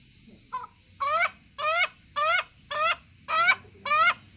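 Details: Ayam Ketawa cock, a chicken breed from Sidenreng Rappang in South Sulawesi, Indonesia, giving its laugh-like crow: a faint opening note, then six loud, harsh, harmonic-rich syllables repeated about every 0.6 seconds, like a rhythmic chuckle, over quiet background.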